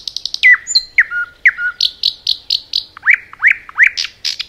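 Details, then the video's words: Forest nightingale: a fast series of high clicks, flat whistles, then rhythmic high chirps and upward-sweeping notes repeated about twice per second. "Nightingale song"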